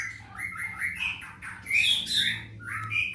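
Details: Greater green leafbird singing a jumble of short whistled and chattering notes, some slurred upward, others scratchy and high, delivered in quick uneven bursts over a low background hum.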